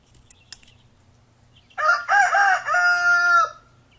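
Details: Rooster crowing off camera outdoors while a chicken pulls an earphone from a man's ear; one loud drawn-out crow in several harmonic-rich segments lasting under two seconds, preceded by soft clucks and faint background hum.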